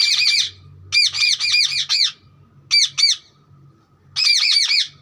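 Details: Repeated rasping parrot chirps from a green parrot, delivered in clustered runs of two to five arched notes with brief silent gaps between groups.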